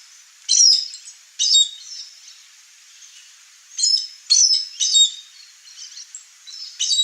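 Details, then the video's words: A wild Chestnut-eared Aracari (Pteroglossus castanotis) visiting a rural backyard in Brazil's Cerrado gives sharp, squeaky, high-pitched notes in short bursts, some doubled, spaced irregularly over a quiet background. "O Canto do Araçari castanho"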